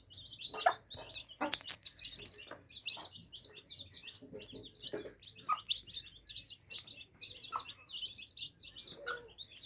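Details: Many baby chicks drinking, their rapid high peeps overlapping into an unbroken chatter for nearly ten seconds, punctuated by irregular taps and a couple of sharp metallic clicks.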